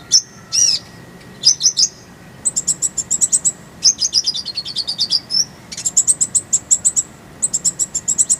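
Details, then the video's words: Kolibri ninja master song with isian and tembakan rolls. Dense, high, rapid trills of sharp tweets, some rising and some falling, run almost continuously and are broken by brief chip pairs, over a faint steady hum. "Masteran Kolibri ninja full isian, Roll tembakan Suara jernih"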